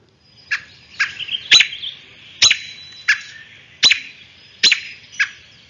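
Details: An American robin gives sharp, high 'peek' alarm notes, about eight in under six seconds at an uneven pace, the calls it makes when very agitated, as when a nest or fledgling is disturbed, against a quiet background.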